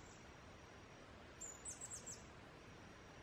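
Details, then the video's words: A singing male Blue-throated Goldentail (Chlorestes eliciae) in Guatemala's foothills: a quick burst of four or five very high, thin squeaky notes, over a steady high insect whine and soft background hiss. "Singing Blue-throated Goldentail"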